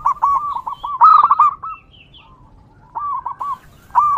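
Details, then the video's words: Wild local zebra dove, recorded as a lure for others of its kind: quick trilling coos in short strings, a louder rolling burst in the middle, then a pause before the phrases resume. "PERKUTUT LOKAL GACOR DI ALAM LIAR"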